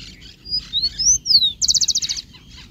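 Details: Singing rufous-collared sparrow gives a sequence of high, thin whistled notes that slide up and then down, followed by a rapid trill of about a dozen short, evenly spaced notes.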